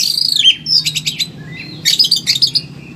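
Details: Oriental magpie-robin in high excitement, caged, sings a sweeping downslurred whistle, then buzzy rapid notes and a bright burst of clear chips, used to prompt lazy birds to sing.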